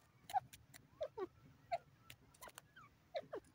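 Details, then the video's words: A francolin (teetar) gives short, mid-pitched, slightly falling notes, some paired, every second or so, over a faint low hum and sharp clicking noises. "teetar ki lovely awaz"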